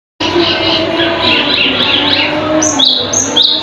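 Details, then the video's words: Cucak keling song from a bird described as loud and sharp-voiced and able to imitate many other songbirds: a dense run of overlapping whistles and chatter, then repeated high, downslurred whistles toward the end. "Suara asli burung cucak Keling"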